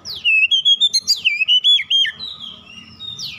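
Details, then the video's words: Magpie-robin song used as a lure to provoke other magpie-robins into singing: a rapid run of loud, clear whistled notes with quick up-and-down sweeps for about two seconds, then fading to a soft sustained whistle and a final descending slur. "DALAM HITUNGAN DETIK KACER LAIN LANGSUNG RESPON GACOR SEKALI PANCING"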